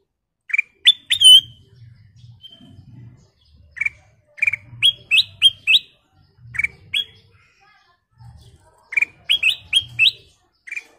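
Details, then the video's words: Sooty-headed bulbul gives bright, bubbly whistled notes in quick bursts of three to five, pausing a second or two between phrases, over a faint low murmur. "Suara Paling Cakap Burung Kutilang Emas full isian"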